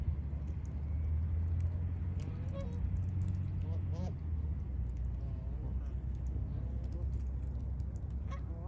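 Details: Canada geese eating dry grass in winter; several soft, nasal honks scattered through the clip over a steady low rumble of background noise.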